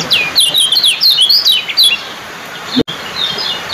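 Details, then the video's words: Competition common tailorbird song, two birds compared for speed and song duration: rapid high, thin chirping notes in quick sliding bursts for about two seconds, then quieter background. "suara KECIAL ciak joss"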